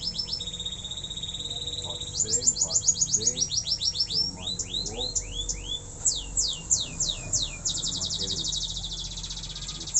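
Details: Canary practising its song with varied phrases: a held high trill, bursts of rapid clipped notes, swooping descending whistles and fast rolling trills, with softer lower chattering underneath.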